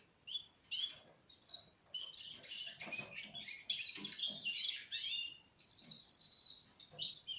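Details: Young Russian canaries, four months old, start with short spaced chirps about twice a second, building into fast twittering and then a long rolling high trill.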